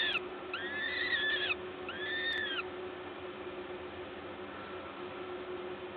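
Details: Peregrine falcons at their Gdańsk nest site in Poland, 14 May 2022, 11:07, while a parent feeds; two arched, harmonic wailing calls in the first two seconds, then only a low steady hum.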